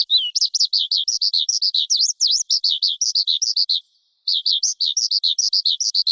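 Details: Caged lark delivering a high, clear, rapid stream of twittering notes, several per second, broken by one short pause before the quick warbling resumes.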